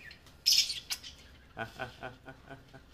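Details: Pet rose-ringed parakeet, a friendly talking ringneck kept at home, giving a bright high chirp followed by a run of short raspy chattering notes, roughly five per second, indoors.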